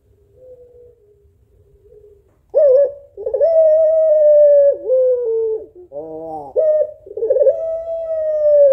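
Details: After faint soft notes, a female African collared dove of the puter pelung kind, calling the male, breaks into loud long coos with dips, a nasal buzzy note, then another wavering drawn-out coo.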